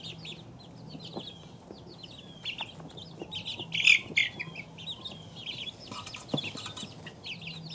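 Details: Young chicks, two weeks old, giving thin high peeps that come in loose clusters, with one louder sharp cheep near the middle and a few soft knocks and rustles.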